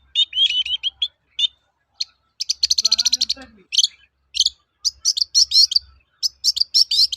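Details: Long-tailed shrike lure song, a 'toet-toet' style used for training birds to sing: rapid high chirps and short trills, then a dense burst of rapid ticking notes, followed by sharp repeated whistled notes in quick clusters.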